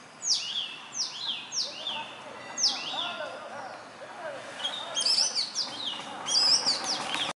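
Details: Near human dwellings, an Indian robin sings at morning or evening: quick series of bright falling whistled notes, followed by denser twittering phrases, with softer lower warbling sounds in the middle of the recording.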